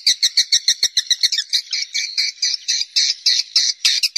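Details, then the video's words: Wild swiftlets calling in a cave: a quick series of sharp, evenly spaced chirps, about three per second, merging into longer buzzy twitters. "suara panggil walet asli alami rekaman dari goa"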